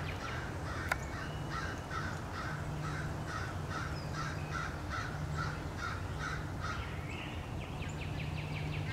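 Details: Many American crows chase a male bald eagle back to its nest in March 2016, their short, rapid caws overlapping into a busy chorus, with a click near the start and a steady low hum.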